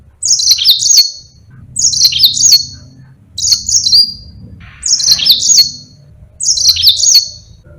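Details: Yellow-fronted canary in energetic long-rolling song, a master track for training other songbirds: five bright, high trilled phrases, each near one second long, spaced about every one and a half seconds, with faint low rumble beneath.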